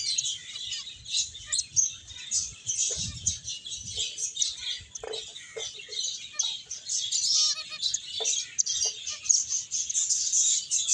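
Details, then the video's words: A flock of finches chirps nonstop while playing and eating: busy, high, sharp tweets run together in an unbroken twittering wash, with occasional soft knocks and rustles. "Cute Birds Chirping Sounds | Beautiful Finches Playing and Eating"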